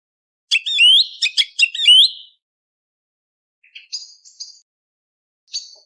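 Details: Before sunrise, a song thrush used as a hunting sound delivers a loud burst of rapidly repeated rising whistles, followed by softer, higher scratchy notes and a lone thin note after a pause, in clean silence.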